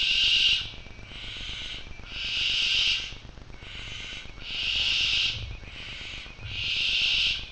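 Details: A Barn owl (Tyto alba) at a nest box in Macedonia gives harsh, breathy hisses, each about a second long, repeated every second or two in a steady series with no other sounds.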